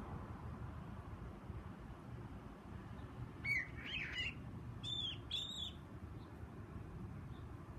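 A Steller's jay gives two quick pairs of short, rasping, slurred chirps midway through, over a steady low rumble of wind or distant traffic.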